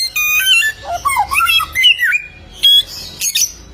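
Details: Bare-throated whistler, called golden samyong, native to Kelimutu Lake, Flores: a dense tumble of slurred whistles dipping and rising, followed by brief harsh bursts.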